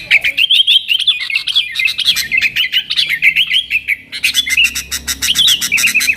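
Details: Energetic yellow-vented bulbul song in nggaruda style, used to call wild sooty-headed bulbuls: long unbroken stream of fast, slurred chattering notes, a short break near four seconds, then more rapid chatter with crisp clicks.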